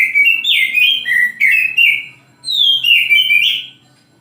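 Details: Oriental magpie-robin singing in the morning: loud whistled phrases sliding between high and mid notes, in three bursts separated by short pauses.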